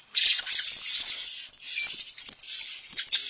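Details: Blue-crowned hanging parrot in Sabah, Borneo, giving an unbroken stream of thin, piercing, high chattering notes with small louder peaks, a busy twittering that never pauses.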